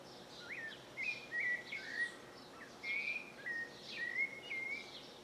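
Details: Rufous-bellied thrush giving its melodious song early in the morning as the sun rises, perched on a farmhouse roof ridge in the northeastern Brazilian sertão. Short clear whistled phrases repeat about every half second to second, with high chirping behind.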